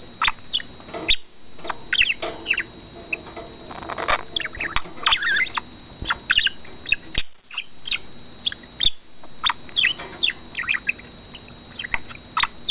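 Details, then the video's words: Male budgerigar, a caged pet that talks, whistles and copies wild birds, in a long stretch of dense rapid chatter: scratchy warbles, clicks and chirps almost without pause, with a faint steady high hum behind. "Aegis chatters"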